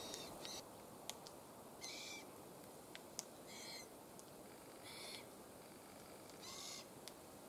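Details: Glossy black cockatoos (Calyptorhynchus lathami): five short, harsh, raspy call bursts spaced irregularly over several seconds, with sharp dry clicks scattered between them against a steady low background hiss.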